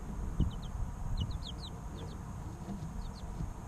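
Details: Quieter cheeping from three-week-old chicks: a few small clusters of faint, falling peeps over a low, steady rumble with occasional soft bumps.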